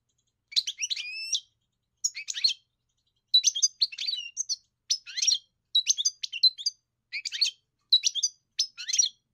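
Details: European goldfinch singing, a kept bird whose song is being trained: bursts of high twittering and tinkling notes with short trills, delivered in phrases of about one second separated by brief pauses, clean background.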